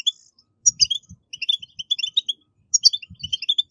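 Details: Bursts of bright, rapid twittering from a European goldfinch in 'batbata' style, meant to encourage caged goldfinches to sing; two quick phrases split by a short pause, with soft low knocks beneath.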